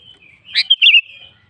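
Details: Sooty-headed bulbul in lively song, calling a rival: a harsh rasping burst followed by two bright whistled notes slurring downward into a sustained tone, with faint soft chatter before and after.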